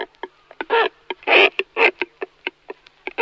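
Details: Cormorant giving harsh, guttural croaking calls, short rough bursts interspersed with brief clicking pulses, repeated irregularly several times per second, with two longer grating croaks in the middle.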